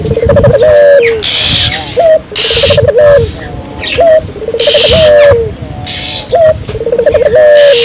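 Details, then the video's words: Barbary dove cooing repeatedly in lively form, used to encourage local doves to join in: rolling pulsed coos with long low endings about every two seconds, broken by sharp hissing noise bursts between phrases. "suara burung puter gacor,merangsang burung puter lokal ikut gacor"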